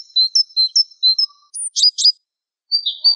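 Java sparrow song: a run of thin, high piping notes, then quick clicking chips and a drawn-out, slurred whistle. Nothing else is heard.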